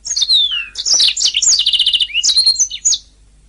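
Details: Canary singing in a master recording for training songbirds; a long continuous high phrase opens with a falling whistle, then fast buzzy trills and repeated chattering notes, ending in bright rising slurs.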